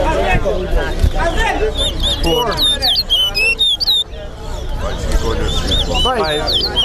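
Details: Competition singing by a chestnut-bellied seed finch (towa towa) at Lusignan, Guyana: bursts of sharp whistled upslurs and curling notes in the middle, with spectator conversation throughout.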